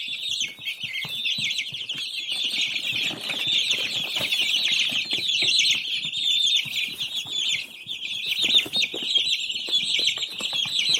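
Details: Many young chicks peeping at once, a steady shrill wall of high chirps rising and falling in loudness, with scattered light scratching and shuffling sounds.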